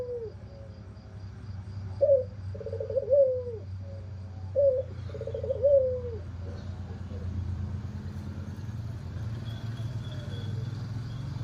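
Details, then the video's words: Albino white dove with red eyes, hoarse-voiced; several husky, wavering coo notes in the first five seconds, then only a continuous low rumble of background noise. "SUARA SERAK BIKIN BURUNG LAIN SOAK"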